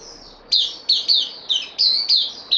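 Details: Bulbul newcomer on loan, kept bird, recorded 12 September 2020, giving a quick run of about seven clear, high, down-slurred chirps in uneven rhythm after a thin whistled tone; quiet background hiss.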